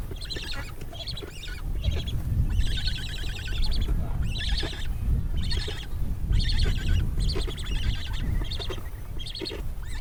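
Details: Cory's Shearwater calling: harsh, raspy, nasal bursts repeated in quick, uneven succession, some long and wavering, over a steady low rumble like surf or wind.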